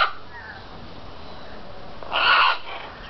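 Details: Two Brazilian parrots fighting and angry with each other: a faint rough call at the start, then a loud, harsh, grating squawk lasting about half a second near the end, over a quiet background hiss.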